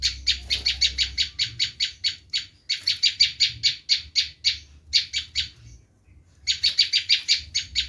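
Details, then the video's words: Screaming call of a bar-winged prinia, played to lure wild prinias: long strings of grating, rasping chips repeated quickly and evenly, broken by a silent gap before a final rapid burst. "Suara asli prenjak lumut menjerit"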